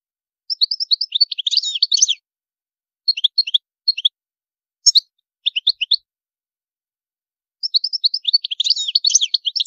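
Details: European goldfinch in high song phrases: a burst of fast, tinkling twitter, then scattered short chirp groups, and at the end another long, dense twittering run.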